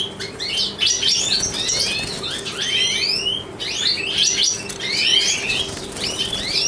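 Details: Breeding male European goldfinch of the large satiné variety, hatched 2013, carrying the white-head gene; a continuous jangling warble of sharp chirps, upward-swept whistles and buzzy trills in phrases, over a low steady background hum.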